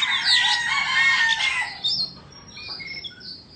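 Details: Indonesian white-rumped shama singing during a tail-fanning dance; a dense, loud warbled jumble of overlapping whistled notes, then quieter, drawn-out thin whistles fading toward the end.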